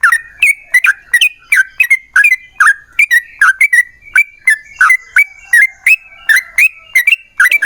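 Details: Yellow-vented bulbul in energetic 'gacor' long-roll (ropel panjang) song, used as a lure to make other bulbuls sing: a steady run of short bubbly, slurred whistled notes, roughly one or two per second, with no other sounds.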